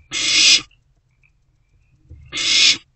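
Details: Owlet swallowing a newly delivered rodent in a nest box at night: a pair of loud, rough hissing screeches nearly two seconds apart, the second preceded by a soft low rustle.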